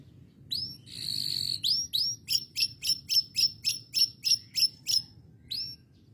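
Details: Domestic canary whose song includes a lovebird imitation: sharp rising whistled sweeps, a buzzy rattling burst, then a fast series of about a dozen identical upslurred chips roughly five per second, ending with another rising sweep.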